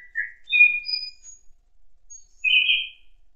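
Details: Thrush in an autumn forest giving a melodious song: scattered pure whistled notes at different pitches, some high and thin, then a fuller burred phrase near the end, separated by silence.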